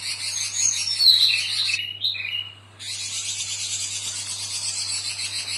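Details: Female robin calling the male, in lively back-and-forth calling: a clear, high whistled note slurring downward, then a pause before a dense, steady buzzing, pulsing chorus resumes around it.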